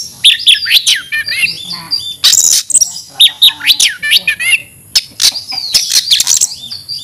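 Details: Caged Oriental magpie-robin (kacer) in an aggressive, fighting-style song: dense bursts of varied loud whistles, sharp chips and rapid falling and rising notes, mostly high-pitched, with short pauses between phrases.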